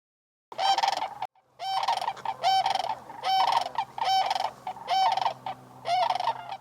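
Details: Sandhill cranes near the shore at sunrise in Bosque del Apache National Wildlife Refuge, New Mexico, December 2021, about 19 degrees F. Loud, harsh rolling bugles repeat steadily, roughly every second, with fainter cranes calling behind them.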